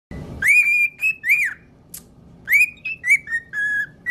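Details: Parrot singing a whistled tune: clear tonal notes rising and arching around a steady pitch, phrased in short groups with brief pauses, a sharp click near two seconds, rich overtones, faint low background hum.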